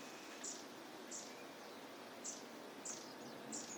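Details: Long-tailed tit calling in a park at Junsai-ike green area, Chiba, Japan, in March 2025: very high, thin, lisping notes, about five in four seconds at an uneven pace, over a soft outdoor hiss.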